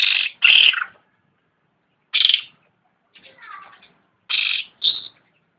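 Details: Cucak ranting, or black-headed bulbul, in lively voice: two quick rasping bursts, a pause, another buzzy note, a softer descending chatter, then a final pair of short harsh calls.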